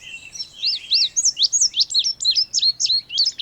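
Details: Indigo bunting singing a rapid, sweet series of high slurred notes, many paired, rising and falling about four times a second for over three seconds, bright and clear over a quiet background.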